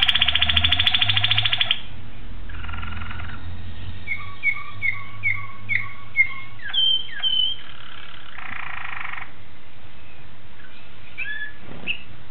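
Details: Malinois Waterslager canary, recorded 26 October 2012, singing buzzy rolled bursts, then a run of short repeated slurred notes about every half second, a few higher whistles and another rolling burst, over steady low hum.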